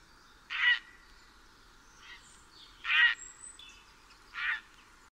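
Grey heron giving three loud, harsh, rasping croaks spaced a couple of seconds apart, with faint thin calls of other birds in the background.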